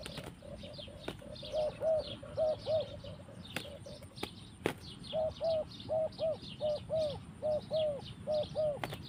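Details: Spotted dove in a forest setting giving mellow, low-pitched coos in paired bursts, fainter at first then louder and steadier, with several sharp clicks and a continuous high insect-like chirping backdrop.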